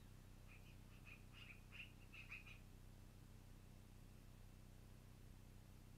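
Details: At a long-eared owl nest on 12-04-2018 around 21:00, an owl gives a quick run of thin, squeaky high notes over about two seconds, above a steady low electrical hum.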